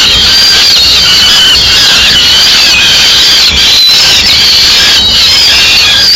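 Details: In Madrid in May 2016, peregrine falcon chicks eat a pigeon the female has brought; they give sustained, grating, high wails in overlapping waves, with a few brief dips, over low background rumble.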